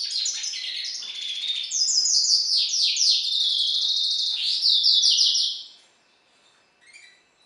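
A goldfinch and hooded siskin hybrid sings a rapid, bright twitter of high, jangly and buzzy notes, run together for about five seconds before a lone faint chirp.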